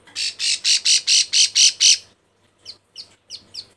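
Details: Breeding-condition female bar-winged prinia calling males with eight loud, harsh buzzy notes in quick succession, then silence and four softer downslurred chips.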